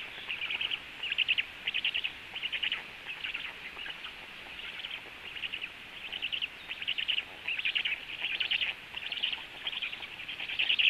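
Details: Black stork nest where the female is feeding frogs to the storklets; loud, buzzy high-pitched bursts repeat roughly one and a half times a second, irregular in spacing, over light background hiss.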